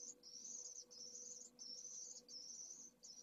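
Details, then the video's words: Tiny pallid swift nestling, hatched hours earlier from a second clutch, vigorously pleading to be fed at a Jerez de la Frontera nest. Long, high, hissing buzzes of about half a second, separated by short silences. "PRIMERAS CEBAS pollo de 2ª puesta - Vencejo pálido"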